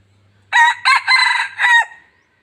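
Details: Decoy red junglefowl in Laos, kept to attract other junglefowl, delivers a single ringing four-part crow. Two clipped opening notes lead into a drawn-out rasping phrase and a strong closing note. A faint hum sits underneath.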